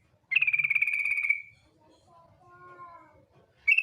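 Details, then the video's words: Female yellow-vented bulbul lure call: a harsh, rapidly pulsed buzzy trill of about one second, followed by quieter thin whistled tones at lower pitch, then another buzzy burst begins. "TRUCUK BETINA NGETIR panggilan sadis,pancingan agar BUNYI jadikan burung trucukan BUNYI GACOR"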